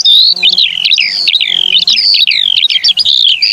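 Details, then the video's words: Eurasian skylark song, a continuous high outpouring of whistled notes that slide sharply up and down, packed with quick twittering flourishes, and a faint low hum underneath. "Il canto dell' Allodola"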